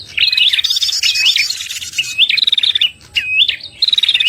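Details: Trapping lure of a red-headed prinia: loud, high, twisting chirps and stretched buzzy notes follow one another rapidly, with a brief pause near the middle.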